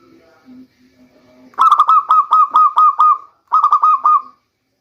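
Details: Local zebra dove giving its lure song for the rainy season: a soft low murmur, then a long run of about ten rhythmic stuttering coos. After a brief pause comes a shorter phrase ending in a held note.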